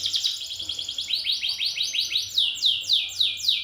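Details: A champion canary sings a fast, high run of trills, first rapid tight notes, then slower sweeping downward whistles repeated about four times a second.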